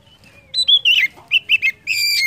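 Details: Short phrase of Oriental magpie-robin song, played to prompt other birds to sing: a scratchy, slurred note followed by a few quick clear whistles and a sustained, rich whistled tone at the end.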